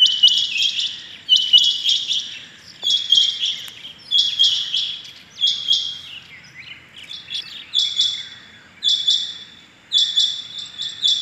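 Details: Rain quail heard calling on the morning of 6.7.21: steady series of loud, high, metallic two- and three-note phrases, each burst about a second apart, continuing evenly throughout with little other sound.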